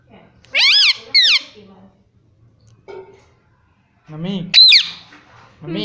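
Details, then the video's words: Indian ringneck parrot, a pet, imitating 'mummy': two shrill, arched syllables, then near silence, then a louder rising-falling squawked word and a low note at the end. "बातूनी शैतान तोता || मम्मी पापा बोलूंगा || parrot talking everything"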